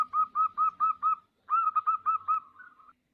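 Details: Zebra dove (perkutut), bodronoyo type, singing as a lure for other birds: two phrases of five and six rounded coos, the second fading into a trailing warble, with a faint low hum beneath.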